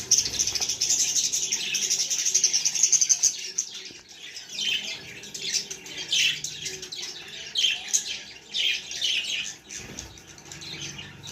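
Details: Young budgerigars chatter in a steady stream of high chirps for several seconds, then break into separate squeaky, scratchy chirps repeated in irregular quick bursts.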